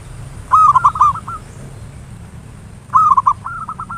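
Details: Local zebra dove singing the ngayer nulop style, used as a lure to provoke song: two rolling phrases, each a quick bubbling burst followed by a chain of softer purring notes, over low rumbling background.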